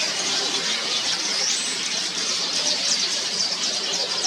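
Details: Early-morning nesting colony of yellow weavers in a single tree with 100+ nests, Mombasa, Kenya; steady shrill chattering from many birds at once, with a few thin whistled notes standing out above the buzz.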